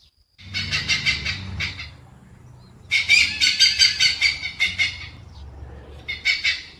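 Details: Hornbill calling: bursts of harsh, rapidly pulsed cackling notes, about two or three per second, broken by short pauses.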